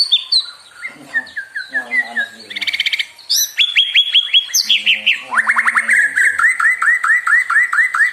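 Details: White-rumped shama song used to provoke other birds into singing: varied phrases of clear whistles and quick slurred notes, a burst of rapid buzzy clicks, then a long run of rapidly repeated, rising whistled notes.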